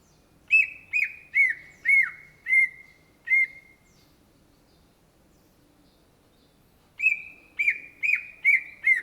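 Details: Greater green leafbird, known locally as cucak ijo, singing vigorously: a run of six sharp, clear whistled chirps, a pause of about three seconds, then six more in quick succession, in an otherwise quiet setting.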